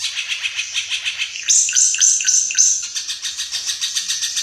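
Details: Ara Mata Merah, an increasingly rare bird endemic to East Nusa Tenggara, Indonesia: quick, regular high chattering notes with several clearer whistled, slurred notes in the middle, then back to steady rapid chatter.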